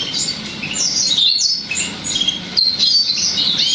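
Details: Goldfinch x roller canary hybrid giving scattered twittering notes and short slurred whistles, softer and broken up, over a noticeable background hiss.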